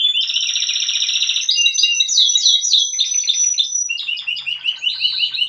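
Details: A young Spanish Timbrado canary from the 2023 season sings a bright, high song, opening with a rapid metallic trill and then running through varied chattering rolls and repeated sweeping notes.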